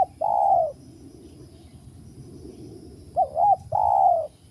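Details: Spotted dove, a wild bird lured to a new trapping site, calls in loud mellow coos: a long drawn coo, a pause, then a quick double-noted coo followed by another long one, over low background rumble.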